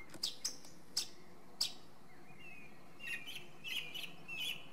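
A song thrush gives a few sharp, high notes, then a bright whistled phrase repeated four times in quick succession over a low background rumble.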